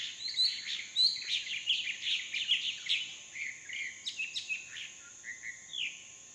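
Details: Hair-crested drongos in a tree near a small waterhole in a dry stream bed, dry season, Phnom Prich Wildlife Sanctuary, Mondulkiri, Cambodia: a quick run of scratchy, metallic notes mixed with short clear whistles, fading after four seconds, over a steady high insect drone.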